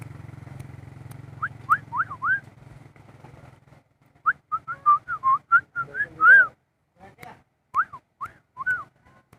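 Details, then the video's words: Asian pied starling singing: a series of loud, clear slurred whistles, rising and falling, given in quick bursts with short pauses, over a low engine hum at the start. "Burung jalak kebo tergacor"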